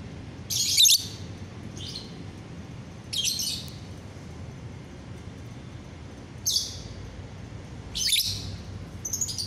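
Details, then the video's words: Lovebird on a bright morning, 30 November 2021, uttering short shrill squawking chirps in separate bursts roughly every one to two seconds, with low background hum between. "pagi yang cerah buat GACORAN LOVEBIRD"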